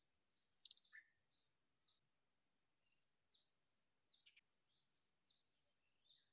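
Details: Blue-crowned hanging parrot calling in the wild at a newly visited spot: three short, very high, shrill notes spaced roughly two and a half seconds apart, set against a steady high insect whine.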